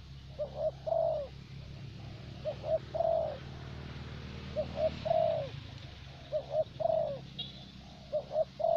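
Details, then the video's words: Caged decoy Spotted dove, the thổ bầu type prized in Vietnam for luring, cooing steadily in a repeated series of soft two-part phrases. Each has a brief lead note and a longer hollow coo, roughly every one to two seconds, over a low background hum. "Terkurkur លេងបានល្អបំផុតនៅវៀតណាម។ (Lý do tại sao thổ bầu lại là con mồi được ưu tiên chọn ) bền kèo"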